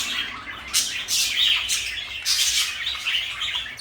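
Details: Pet parakeets, a blue bird and a light yellow one, give loud grating squawks in separate bursts about every half second, broken by thin chirps.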